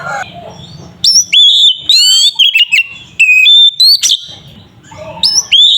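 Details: Loud, energetic oriental magpie-robin song used to provoke another bird into singing: sustained high whistles, sweeping slurred notes and rapid squeaky trills in bursts, separated by short gaps with low background hum.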